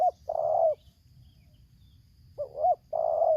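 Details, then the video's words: 'Tarik akar selang nguku' song of a Lampung spotted dove used for luring a wild bird: a sustained burry coo, a long pause, then two quick rising coos and another extended coo. "Aksi Pikat vs BL Idaman suara tarik akar selang nguku"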